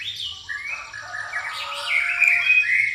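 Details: Pastol white-rumped shama singing its fighting-sparrow fill: a dense, continuous warble of whistled and chattering notes that grows louder toward the end.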